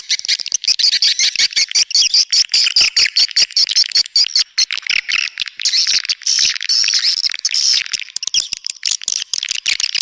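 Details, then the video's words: Swiftlet attraction call: ten seconds of fast, dense high clicking and buzzy chirping twitters, pulsing at an irregular pace, shrill and metallic. "SUARA PANGGIL WALET"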